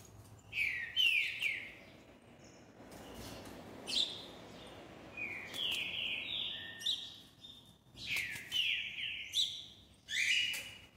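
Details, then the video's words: Green-winged saltator song: bursts of clear whistled notes, some sliding and some stepping upward in short runs, repeated in several groups with quiet gaps and light clicking noises between. "Trinca-Ferro cantador"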